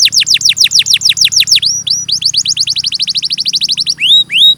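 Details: Canary song, a clear recording: rapid trills of steeply falling high notes, shifting into a faster run of short repeated notes, then a few slower rising-falling whistles.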